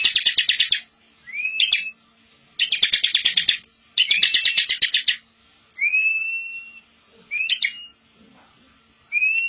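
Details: Ciblek, the bar-winged prinia, in a master song for training young birds: alternating rapid buzzy rattles and short upslurred whistles, about six phrases over nine seconds, separated by brief silences.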